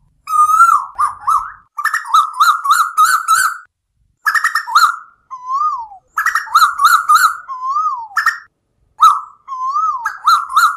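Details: Asian koel lure recording made for night use: loud bursts of rapid, harsh, slurred notes with strong overtones, mixed with drawn-out downward-sliding whistles. The bursts are separated by brief silences, and no other sounds are heard.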